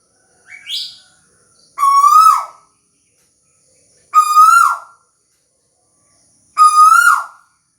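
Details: Song of a tuwu bird: a short, higher, thinner note, then three loud, rich whistles that rise gently and drop sharply at the end, repeated about every 2.3 seconds, with quiet in between.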